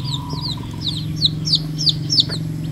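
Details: Red junglefowl chicks out feeding with their mother in natural surroundings; loud, clear high peeps sliding downward, given in a quick irregular series of about a dozen, over a faint low hum.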